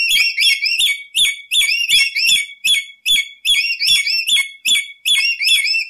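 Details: Lory song recorded as a lure and tutor track: loud, bright whistled notes with rich overtones, rising and falling in quick phrases about twice a second, with faint low knocks between phrases.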